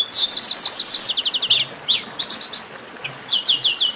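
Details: Chestnut-capped blackbird in an esquenta (warm-up) song: fast stuttering trains of high chirps, a brief slurred note, then renewed quick repeated chirps.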